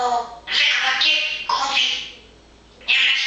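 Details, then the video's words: Pet parrot chattering busily and cheerfully during fine, sunny weather: loud bursts of raspy, speech-like babble in three separate phrases, with a short quiet pause before the last burst. "Manus de papegaai is wel erg druk met dit mooie weer."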